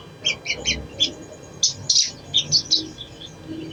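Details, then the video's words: Little spiderhunter lure song meant to prompt a silent bird to sing: crisp, high staccato chips delivered in spaced bursts, a few louder squeaky notes midway, quiet low background hum. "SOGON | SOGOK ONTONG | PANCINGAN AGAR CEPAT BUNYI | MALAS BUNYI JADI RAJIN BUNYI"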